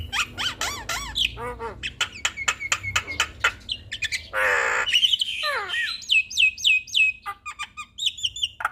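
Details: Loud Javan myna song in full-fill 'gacor' style, meant as a tutor for other mynas: fast clicking chirps and looping slurred notes, a harsh broad squawk near the middle, then repeated upward-inflected whistles about four per second.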